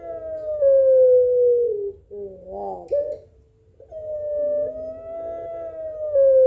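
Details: Barbary dove of the Puter Pelung calling type, answering a rival. A long, drawn-out, slightly falling coo, a short break of rougher stacked notes, then another sustained, level coo.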